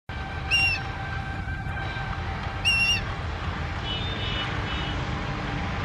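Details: Indian grey hornbill calling in Uttarakhand: two loud harsh squealing notes about two seconds apart, with steady traffic rumble and a faint horn-like tone beneath.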